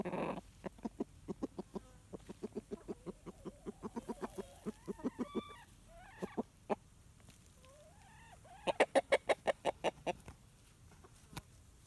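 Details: Rooster dust bathing near hens gives soft, repeated low clucks about three per second, mixed with rising and falling whiny calls, then a burst of louder rapid clucks as he gets briefly upset about a whining hen.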